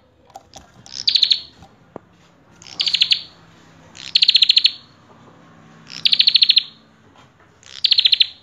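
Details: Prenjak kepala merah (common tailorbird) singing gacor full isian: five strong, rasping bursts of fast high pulses, each opening with a brief rising note, spaced about one and a half seconds apart.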